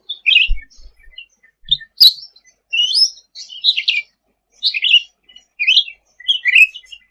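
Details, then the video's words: Sooty-headed bulbul in 'gacor' song: phrases of slurred, squeaky whistles and chatter, roughly one burst every second or two, with a sharp click near two seconds and a few faint low thumps early on. "Suara Cucak Ranting Gacor untuk Masteran ll Suara burung cucak rante"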